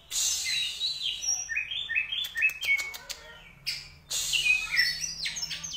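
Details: Caged contest Oriental magpie-robin with rich, sharp fill-ins: harsh scratchy notes, a quick stepped trill, fast clicking series, then loud chattering high phrases.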